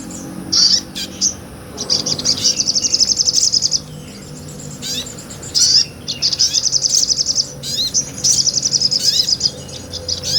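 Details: Sunbird singing in the energetic ngobra style, recorded for tutoring other songbirds: bursts of very high, rapid buzzy trills lasting a second or more, separated by short sharp chips and brief pauses.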